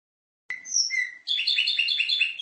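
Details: Canary in full song, recorded as a master for tutoring other canaries: after silence, two long pure whistled notes, one high and one lower, then a fast rolling trill of repeated chattering notes.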